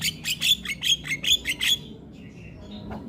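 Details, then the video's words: Vigorous Javan myna song from a training recording for other birds: about six loud, harsh chattering bursts in quick succession, then a faint whistle and quiet background. "Jalak Kebo gacor Tak Kenal Waktu Bikin Ribut Burung Lain Ikut Bunyi"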